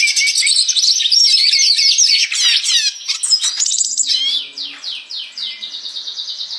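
A red siskin sings a fast, high, twittering song of buzzy trills and sweeping notes. The notes tumble quickly at first, then slow into a run of repeated slurred phrases.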